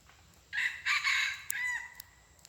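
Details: Red junglefowl crowing while luring wild junglefowl in decoy hunting, 23 February 2022; one full harsh crow with a broken middle and a long drawn-out ending, plus a couple of sharp clicks and soft hiss.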